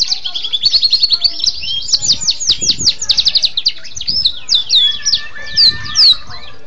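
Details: Canary singing a tutor song used for training other birds: a dense, rapid run of high sweeping trills and chattering notes, pulsing several times a second, with a low background rumble.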